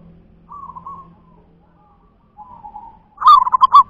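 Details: Local wild zebra dove (perkutut lokal alam): soft drawn-out cooing notes followed by a loud, quick run of six clipped, bubbling notes, with faint low hum beneath.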